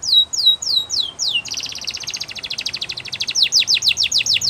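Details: Canary song used for training birds: a few loud descending whistled sweeps, then a rapid buzzy trill, ending in fast repeated falling notes.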